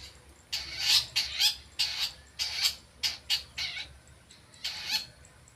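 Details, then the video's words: Long-tailed shrike practising its sounds: a run of raspy, chattering bursts in quick clusters of two or three, some harsher and louder, then a pause and a final grating pair. "cendet belajar bunyi"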